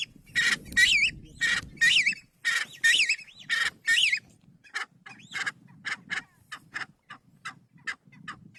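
A Kalij pheasant gives harsh, squawking notes with a wavering whistled edge, about one per second, loud at first and then fainter, over a low background rumble.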